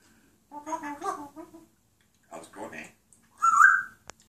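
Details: Pet parrot talking in a human-like voice, two short speech-like phrases followed by a sharp rising whistle, indoors.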